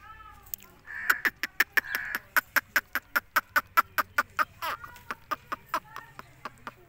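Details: Indian ringneck parrot giving a rapid run of sharp, clicking squawks, about two or three per second, with a harsher nasal note held through the first few seconds before the series fades.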